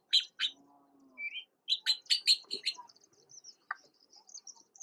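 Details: Newly independent Red-billed blue magpie young in Uttarakhand, India: rapid runs of loud, harsh chattering notes, a short rising whistle and a low hum, with thin high trilling continuing behind.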